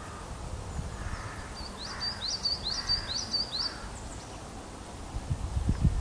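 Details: Female osprey at Loch of Lowes, Scotland, answering a male's unseen skydance, recorded by a nest webcam: a run of about eight sharp, upslurred whistled cheeps in quick succession, over a steady low background rumble.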